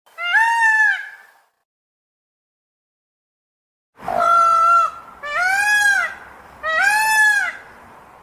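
Indian peafowl gives loud, wailing, nasal calls, one alone and then three in quick succession, each slightly rising then falling; faint background hiss.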